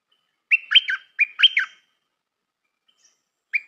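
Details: Stripe-throated bulbul decoy bird sings two quick phrases back to back, each a rising whistle followed by swooping liquid notes, then a pause and the start of another phrase.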